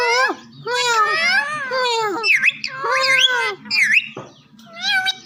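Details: Green parrots sing "Mian Mitho Chori Khao gy": a run of high, wavering, voice-like syllables with rich harmonics and swooping tones, nearly continuous for several seconds over a low electrical hum.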